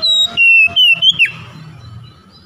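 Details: Lure song of an Oriental magpie-robin for prompting mute birds to sing: a short run of bright, pure whistled notes descending in pitch, finishing with an abrupt downward sweep, then a faint background hum.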